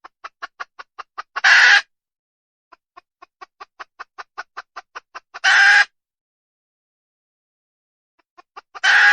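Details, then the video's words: Wild red junglefowl hen giving rapid runs of about ten short, evenly spaced clucks, each ending in a loud, harsh, broadband squawk; the pattern repeats three times with brief silent pauses between. "Suab poj qaib qus tsauj dib tuaj zoo heev"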